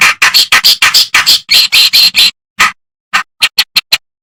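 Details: A reed warbler sings on a master track for tutoring songbirds. A fast, dense chatter of harsh, scratchy notes breaks off into a few scattered, clipped chirps.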